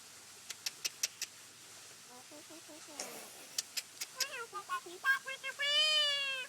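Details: Black-collared starling making odd, funny noises, apparently never having learned song from its parents: sharp clicks, a quick run of wavering nasal whistles, then a long, harsh, meow-like drawn-out note.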